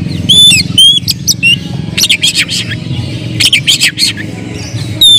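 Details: Agitated oriental magpie-robin song used to stir up other birds: a few clear whistled notes, then thick harsh rasping bursts, over a low steady hum.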